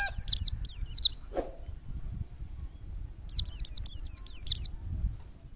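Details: Wild white-eye song used as a lure: rapid strings of high, twisting whistled notes in two bursts split by a quiet gap, over low background rumble.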